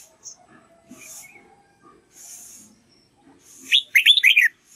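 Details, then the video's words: Red-whiskered bulbul practising its song for another bird to copy; soft faint chirps and rustles give way to a loud, quick warbled phrase of slurred whistles near the end. "Chào mào luyện giọng cực hay để ép chim má trắng học giọng"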